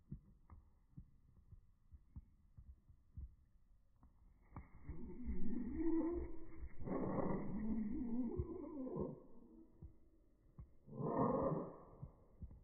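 Budgerigar chatter slowed far down into deep, growling, rumbling bursts with a dinosaur-like sound; two long swells come after soft thumping, in a quiet room.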